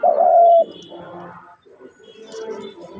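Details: A single loud, low, smooth dove coo lasting just over half a second, slightly dropping at its end, followed by soft murmuring background noise and faint indistinct sounds.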